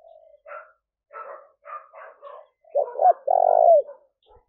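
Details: Spotted dove call played to lure wild doves: a run of softer, rougher bursts from other calling birds, then a loud close coo of two short hooting notes and a long steady purring note.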